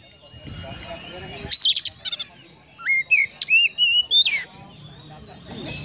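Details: Kacer, the Oriental magpie-robin, in konslet song filled with sparrow imitation: a burst of harsh chips, then a run of bright, slurred whistles stepping up and down, against a soft low hum.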